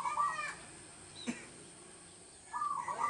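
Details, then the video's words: Local zebra dove (perkutut) in a rural countryside setting, singing as a lure for trapping doves: a short, rapid, trilled coo at the start, a quiet pause broken by a single click, then another quick rolling coo phrase. "PERKUTUT LOKAL GACOR UNTUK PANCINGAN SUARA PIKAT"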